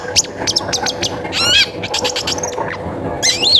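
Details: Long-tailed shrike song used as a prompt to get other shrikes singing: rapid bursts of sharp, high chirps and harsh squawky notes, with a wavering trilled phrase in the middle and a falling whistled ending.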